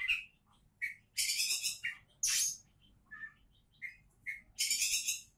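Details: Oriental magpie-robin, a champion-candidate bird, alternating clear mid-pitched whistled notes with loud, drawn-out harsh buzzy rasps, each phrase separated by short pauses, over a faint low hum.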